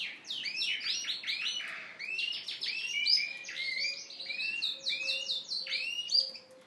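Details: Courting male Yorkshire canary singing to a hen. Rapid chains of slurred upward notes give way to rolling trills and high chips in an unbroken, energetic song. A soft steady tone sounds in the background.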